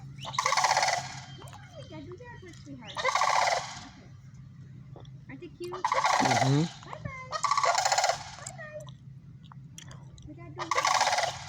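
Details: Repeated rolling, rattling bugles of sandhill cranes, about five loud bursts spread over the stretch, with fainter calls and a low hum between.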